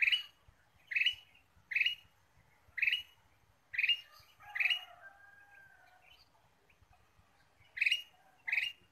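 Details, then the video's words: Ruby-throated bulbul lure sound, vigorously calling: short harsh chirping notes repeated roughly once a second, a brief pause midway with a faint drawn-out whistle beneath, then the chirps resume; soft low rumbling in the background. "PIKAT KUTILANG EMAS GACOR"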